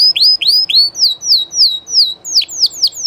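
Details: Live song of a Spanish Llarguet canary, a well-known legendary breed: a slow series of clear downslurred whistles, about three or four per second, shifting midway into shorter swooping notes, bright and high with little background noise.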